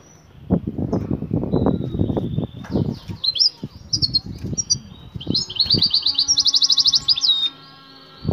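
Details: Female European goldfinch in breeding condition calling to the male to mate, a call known locally as batbata: high thin notes, then a fast buzzy trill of rapidly repeated notes near the end, over low thumping and knocking noises.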